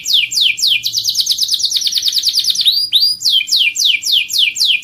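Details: Canary song meant to prompt other birds to sing: rapid run of clear downward-slurred whistles, a couple of upward slurs midway, then more evenly spaced falling sweeps.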